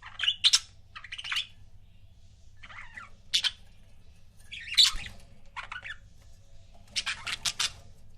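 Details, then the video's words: Budgerigar couple kept as pets, calling in scattered harsh chirps and warbles with quiet gaps, ending in a rapid run of sharp clicking notes. "CUTE BUDGIE COUPLES"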